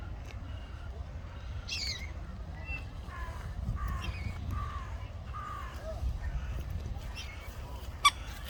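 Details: Common moorhen family with chicks on the water: a series of short, harsh, slightly falling calls repeated roughly every half second to one second, over a steady low rumble of background noise.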